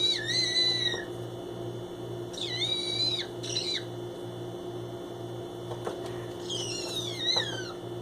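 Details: Pet male green-cheeked conure indoors, playing in empty shopping boxes and giving the odd noises he makes when exploring a new spot: several short whistled calls, some falling and some flat, with faint tapping and a constant hum behind.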